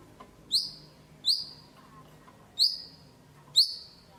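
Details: White-rumped shama used as a lure to get lazy birds singing: four short, sharp high chips, each falling slightly, spaced about a second apart over a quiet background.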